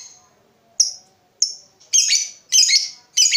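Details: Lovebird sounds played to encourage other lovebirds to start long trilling song. A few thin, separate chirps build into three longer, rough, buzzy bursts close together near the end.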